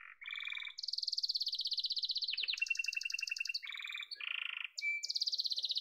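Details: Yellow domestic canary in full song, running through long rapid trills and rolls that jump between low buzzy and high bright tours, with a short clear whistle near the end.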